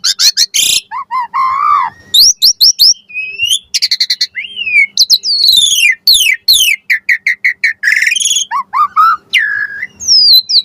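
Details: Varied lure song of an Asian pied starling, meant to draw replies: clicks, slurred whistles, and rapid chattering bursts in a busy, mimic-like jumble, with a faint low hum beneath.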